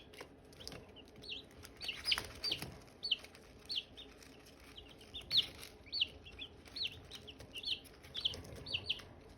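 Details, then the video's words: Hatching eggs and Silkie chicks chirping: clear, piercing high peeps, often in pairs, scattered irregularly about twenty times a minute above a quiet hum. "Silkie chicks chirping, Hatching eggs chirping sounds"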